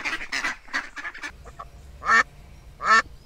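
A duck gives a run of quick, nasal quacks, then two louder, drawn-out quacks about a second apart.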